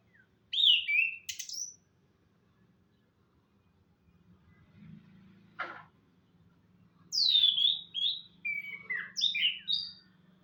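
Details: Orange-headed thrush singing in the morning: loud clear whistled phrases, a short opening phrase then, after a pause, a rich run of varied falling and rising whistles, with a soft low hum in the background.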